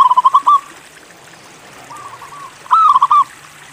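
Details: Local Indonesian zebra dove singing to lure other zebra doves into song: quick staccato cooing notes, a rapid burst, then a pause and a rising coo followed by a short run of clipped notes, all mid-pitched over faint background hiss.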